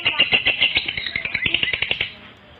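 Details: Calling lovebird used as a lure for others of its kind: two seconds of shrill, rapid, grating chatter in quick pulses, stopping abruptly into near silence.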